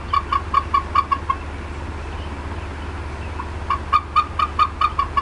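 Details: Agitated female bald eagle at the Decorah North nest, 18 April 2016, 4:23 PM CDT, possibly reacting to something near her area: a quick run of about seven sharp chips, a gap of two seconds, then another run.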